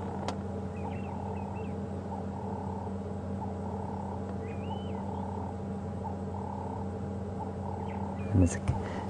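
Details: A ring-necked dove (Streptopelia capicola) calls behind a safari vehicle on an evening drive at sunset, 19 August 2015: short, mid-pitched cooing phrases repeated at a steady pace over a low engine hum, with faint chirps of other birds and a brief thump near the end.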